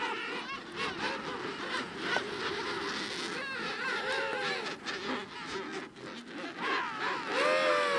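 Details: King penguins in a noisy colony of several thousand birds, calling continuously; warbling, wavering trumpet-like calls rise through a dense, constant chorus of overlapping voices, with a clear modulated call standing out near the end.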